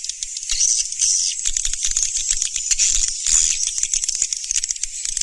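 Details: Surya Mentari swiftlet sound, 2019: unbroken, shrill, buzzy twittering that keeps a steady high pitch, with rapid ticking rattles running through it and a louder swell just past three seconds.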